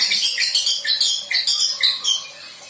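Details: Young white-rumped shama learning to deliver song material: a rapid, evenly paced run of high, sharp, slightly rasping notes, about four per second, each dropping slightly in pitch.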